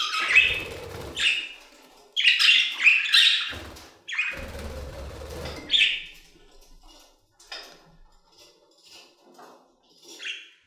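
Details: Budgerigars singing in an aviary: rough chattering phrases and chirps, loud in the first six seconds, then fading to sparse soft ticks and short chirps, with low rumbling under the louder bursts.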